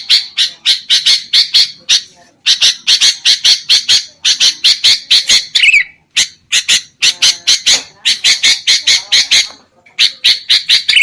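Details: Sooty-headed bulbul lure calls for bird trapping, noisy and continuous: rapid harsh chattering in long runs of closely spaced notes, occasional downward-slurred endings, with brief breaks between bursts.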